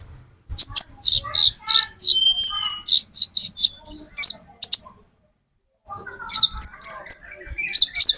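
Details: Lure song of the olive-backed sunbird, called metallic konin, for attracting green konin: fast, continuous high twittering of sharp chirps and thin whistled slurs, a brief pause, then more rapid chirping.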